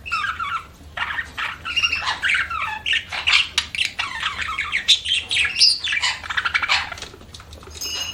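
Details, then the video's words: Continuous budgerigar chirping: a long stream of rapid, scratchy warbling and squawky chatter with occasional short whistled notes, barely pausing across the whole stretch. "BUDGIES CHIRPING SOUND"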